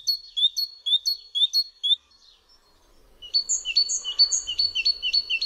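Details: Great tit (Parus major) song: two stanzas of clear, high two-note phrases, each repeated several times at a brisk pace, separated by a short pause.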